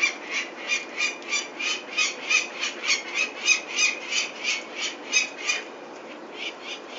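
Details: A peregrine falcon at a Venlo nest site on 21 May 2024, as its chicks are taken for ringing, gives harsh, grating cries about three a second in an even series for roughly five and a half seconds before falling quiet.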